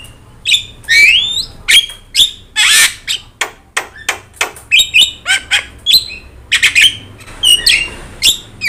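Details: Loud chatter from a yellow-eyed Javan myna, used as master song for training other birds: rapid sharp chirps, clicks and whistled upslurs tumble together in a busy, irregular stream.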